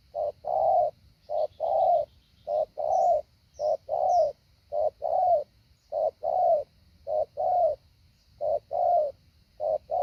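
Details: Spotted dove kept as a decoy bird in Vietnam, in training to lure wild doves. It gives low, mellow coos in a steady rhythm, short and long notes alternating in pairs, about a dozen phrases in ten seconds, over a faint steady hiss.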